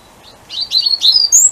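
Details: European robin singing its territorial song in darkness at 7:20 am on the winter solstice, from bushes by a back door with a second robin farther off: a quick run of thin, high, silvery sliding trills rising at the end, over quiet.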